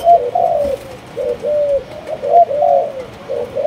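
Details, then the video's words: Malaysian-line spotted dove gives mellow, low cooing in grouped hoots, each note slightly falling, with brief gaps between bursts. The background is quiet. "Cu Gáy Malaysia Nhiều Dòng"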